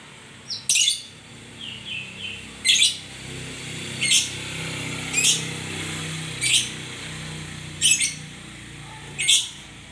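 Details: White-rumped shama giving short, harsh, buzzy bursts roughly every one to two seconds, with a few faint chirps between them over a low steady hum.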